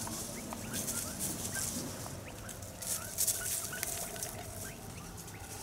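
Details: Taiwan hill partridge family of five feeding together on 18 January 2021 in Dashue Mountain National Park, Taichung City; rapid scattered soft chirps, several per second, mixed with loud rustling and scratching in the undergrowth.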